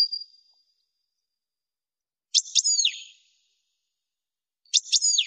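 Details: Goldfinch singing a tutoring song meant for young birds: a faint fading whistle at the start, then two separate phrases of quick chips and downslurred liquid notes, about two seconds apart, in an otherwise silent background.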